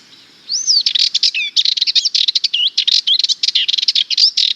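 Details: Rapid rattling Sardinian warbler song opening with a clear downward-curving whistle, then a dense four-second stream of scratchy, chattering notes and quick whistled twists, loud and continuous to the end.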